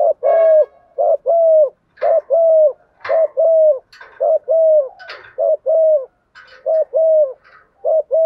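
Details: Decoy spotted doves cooing to call the flock, phrases overlapping in rapid succession, repeated short low coos with clipped endings, mixed with brief sharp chirps and clicks from other birds.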